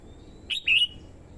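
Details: Red-whiskered bulbul used as a decoy to lure wild birds, female stimulating the male: two bright whistled notes, a short one followed by a longer, full slur that fades downward.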